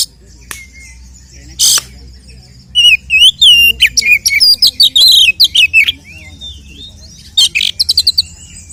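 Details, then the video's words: Fighting song of a kacer, the oriental magpie-robin, used to provoke other males: scattered harsh bursts, then a long, varied run of quick, sharp whistled notes with rising and falling slurs and a final rapid buzzy trill. "Kacer gacor 🔥TARUNG KONSLET nembak BUKA EKOR pancingan efektif UNTUK mendongkrak EMOSI burung KACER"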